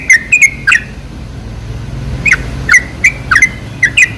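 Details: Sooty-headed bulbul song used as a bulbul lure, scattered short bubbly notes in small clusters with a quiet stretch mid-way and a faint low hum behind.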